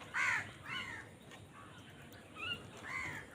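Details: Crows fighting for food: loud, hoarse, harsh caws with arched, layered tones, three or four calls in about three seconds with short pauses, against a steady low background hiss.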